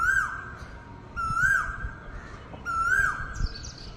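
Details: An Asian koel calling close by around 7 in the morning gives loud, clear whistled notes, each ending in a slight upward lift, repeated about every second and a half over faint background hiss.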